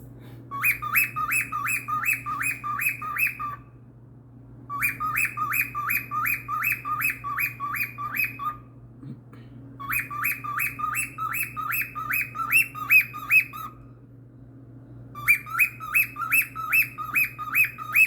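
A cockatiel gives bursts of rapid, repeated chirping notes, each burst lasting about three seconds.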